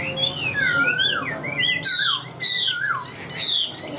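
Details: Song of a caged Chinese hwamei, a bird that sings tirelessly when hung out: rich whistled slurs, a long dipping note, then bright bursts of clear notes separated by short breaks.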